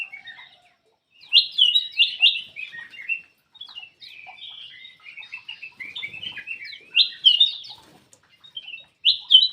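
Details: Black-crested bulbul giving repeated bursts of bright, bubbling warbles, used as a lure to encourage quiet birds to sing. Phrases come in loud clusters with softer twitters between them.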